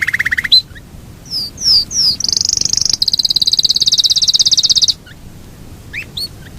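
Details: Yorkshire canary rolling song: a brief low roll, three quick downslurred whistles, then a long high rolling trill lasting about two and a half seconds, followed by a few faint chirps.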